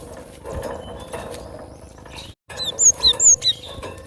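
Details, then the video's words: Cinereous tit, natural voice; following a brief break, a quick run of about five thin, high, downslurred whistles, with steady low background noise "Gelatik batu suara asli"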